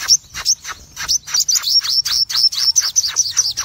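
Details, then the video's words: Red-eyed cremino Crimson sunbird in lively 'ngobra full tembakan' song, a quick run of sharp, high-pitched chirped notes about two or three per second, with each note sliding downward. "Sogon Gacor Ngobra Full Tembakan"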